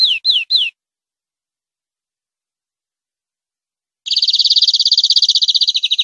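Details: European greenfinch singing on a clean tutoring recording for captive birds: three quick descending whistled notes, a pause of several seconds, then a rapid buzzy rolling trill.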